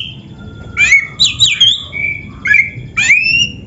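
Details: White-rumped shama (kacer) in a cage-bird training recording, giving scratchy, twangy notes mixed with level whistles in short bursts about a second apart, with a low hum behind.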